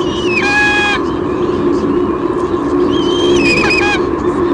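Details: A White-bellied sea eagle female squeals while the male delivers a fish, filmed by nest camera at Sydney Olympic Park, Australia, in June 2016. Two shrill, harmonic squeals, each about half a second long, over a constant mechanical hum.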